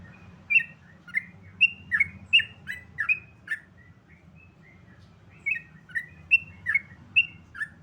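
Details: Sooty-headed bulbul in 'ropel' song: a fast run of sweet, slurred whistles, then a brief lull with a couple of soft notes, then another quick phrase of clear, falling and rising whistles.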